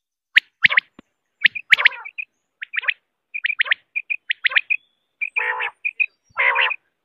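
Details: Common quail giving sharp, high chirping notes in quick clusters of two or three, then a couple of harsher, rasping bursts; background otherwise quiet.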